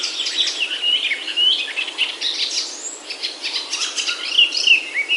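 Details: Himalayan oak forest birds in Himachal, India: clear whistled slurred notes rising and falling, woven among rapid background chirps from several singers.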